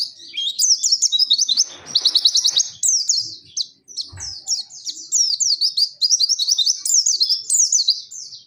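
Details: Pacitan Dakun white-eye delivering nembak mantenan and zipper witwit song: dense, high-pitched runs of quick down-slurred chirps broken by short pauses, with a brief stuttering trill near two seconds and a soft knock around four seconds.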